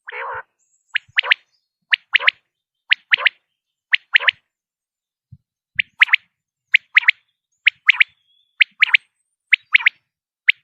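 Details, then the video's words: A common quail sounds one low nasal note, then a long run of crisp triplet calls, one short note and a fast pair, repeated roughly every second over ten seconds in stillness. "common quail sound"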